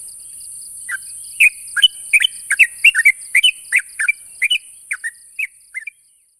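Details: Sooty-headed bulbul calling to a rival, a steady run of short bubbly chirps, many doubled, about two and a half per second, fading toward the end over a constant high hiss.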